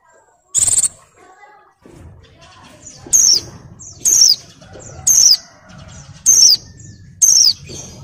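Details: Moulting female Oriental white-eye in breeding condition calling males: one high buzzy trill, then a steady series of five sharp down-slurred whistles about one second apart, with low background rustling.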